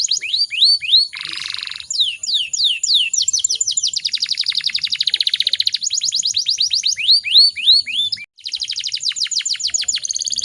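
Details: Female canary in breeding condition, singing to provoke other canaries into song: rapid series of descending whistled sweeps, buzzy trills and rattling rolls at high pitch, tumbling along with brief gaps.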